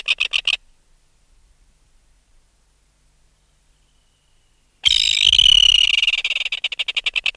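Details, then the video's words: Red-billed tropicbird adult removed from its nest, alarm calls close up: the tail of a rattle, several seconds of silence, then a sudden shrill scream running into fast harsh pulses. "Red-Billed Tropicbird. Alarm Calls CU From Adult Removed From Its Nest."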